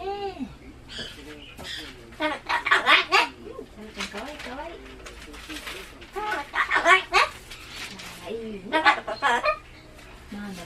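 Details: Pet Solomons cockatoo indoors, a bird that screams loudly at loud noises such as town announcements and election cars; speech-like chatter is broken by sudden bursts of harsh, broadband screeching, with human voices and background music nearby.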